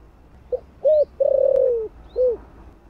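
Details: One full coo phrase from a spotted dove with a deep 'thổ' voice, used to stir newly caught birds: a short pip, a bent coo, a long vibrating coo easing downward, then a final arched note. Small high chirps overhead.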